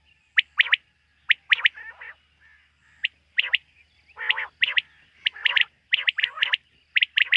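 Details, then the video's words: Night-time quail calls: sharp high clicks grouped in doublets and triplets, broken by coarse, lower rasping notes, repeating irregularly every second or so. "Bater ki rat wali awaz ۔۔quail sound of night"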